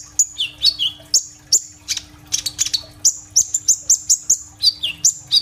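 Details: Actively singing kolibri ninja sunbird, captured on an Oppo A37f phone, song with rolling bursts: a quick run of piercing high chips and sliding whistles, several notes falling in pitch, with a low background hum.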